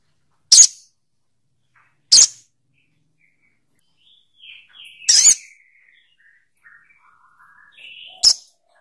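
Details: Crimson sunbird (Aethopyga siparaja) call: four sharp, very high chip notes at uneven gaps of about two to three seconds, with soft thin twittering between them.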